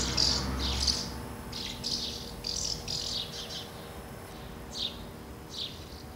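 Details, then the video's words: House martins gathering at two nests while feeding young, recorded 24 August 2012: short high chirps and dry twittering notes in irregular bursts of two to three, with a faint low hum beneath. "Schwalben Versammlung am Nest"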